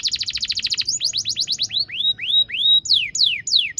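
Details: Canary singing a master song for young canaries: a fast rolling trill, then a series of down-slurred whistled notes that slow and lengthen, ending in sweeping high whistles.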